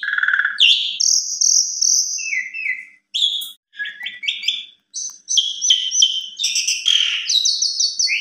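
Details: Varied lure song of an Asian pied starling for tutoring young birds in the evening: a buzzy opening, long high whistles, quick chirps, then jumbled whistling and harsh rattles in quick succession over silence.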